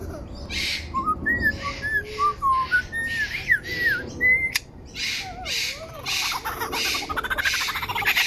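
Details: Superb lyrebird song, Australia, 2019, from its repertoire: a mix of wavering looping whistles and bursts of harsh rasping notes, with pauses between phrases.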